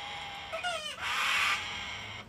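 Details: Part of a wild cockatoo flock feeding from the hand on an Australian deck in the winter chill and rain. A thin falling whistle-like note leads into one rough, noisy screech lasting about half a second.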